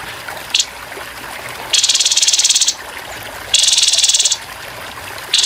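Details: Grey-headed babbler giving harsh rapid-fire 'tembakan kasar' bursts with murmuring water behind: a quick note, then two dense, high, buzzy trills of nearly a second each, spaced by short gaps.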